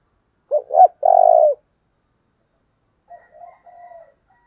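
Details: Spotted dove decoy call meant to provoke wild birds: a loud phrase of two quick hooked notes and a long buzzy coo, answered after a gap by a quieter, softer three-note coo.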